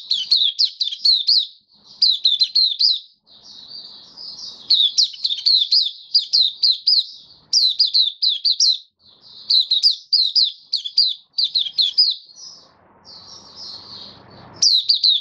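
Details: Caged white-eye in sustained open song, recorded 18 May 2022 after regular deworming treatment. Bursts of rapid, jumbled high chirps and slurred notes follow one another, with faint low rustling under some passages and a final sharp note.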